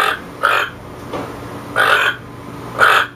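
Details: Toucan giving four rough, nasal croaks spaced about half a second to a second apart, each a brief harsh burst, against a faint low background hum.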